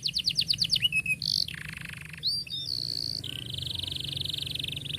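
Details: Canary song to teach young canaries: a burst of rapid descending chips, then a low buzzy roll and a long high rolled trill lasting nearly two seconds over noticeable background hum.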